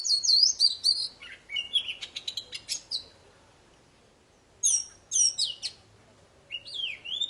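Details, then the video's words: High, energetic poci bird song for restarting silent birds: clusters of sharp whistles and quick chattering trills, a silent gap of about a second and a half, then more bright whistled bursts. "Suara burung poci super gacor cocok buat memancing poci macet jadi bunyi"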